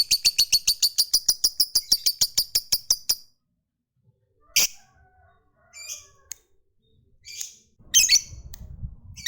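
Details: Lovebird, a fighter-type bird kept to lure others into long ngekek trills, delivers a fast run of sharp, evenly spaced buzzy pulses for about three seconds, then falls quiet before a few scattered harsh squawks and a low rumble of handling noise.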